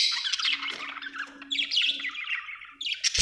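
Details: Budgies producing a scratchy, warbling stream of chirps and squawks, dense and continuous, ending in an abrupt sharp click.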